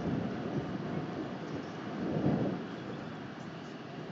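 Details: Low, rumbling wind or engine noise swells and fades, louder around the middle, with no animal voice heard.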